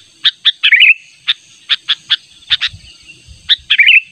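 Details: Natural sooty-headed bulbul lure call to attract a rival: spaced sharp chips and two short bubbling warbles, with a little low rumbling in the background.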